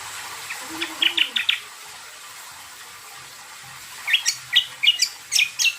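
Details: Greater green leafbird (cucak kombo) used as a lure song to make other birds answer: a burst of four sharp high chirps, a pause, then a louder run of six or seven buzzy, rising notes over faint background hiss.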